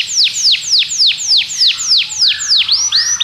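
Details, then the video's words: Belgian canary singing to draw other canaries into song, a series of clear whistled notes sweeping down from high pitch, about three per second, ending in rising and steady tones. "Canário belga seduz todos os canários para cantar - treinamento de canário"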